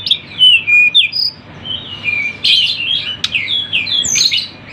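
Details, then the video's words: Sunda bush warbler song offered as a training and lure recording for drawing in birds. Quick, high, twittering and whistled chirps overlap in busy bursts, with short gaps between phrases. "MASTERAN TLEDEKAN GUNUNG ||suara burung rame"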